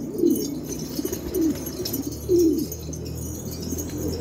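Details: Pigeons called rare Australian birds give three deep, throaty coos about a second apart, each a short rolling note, with a low background rumble.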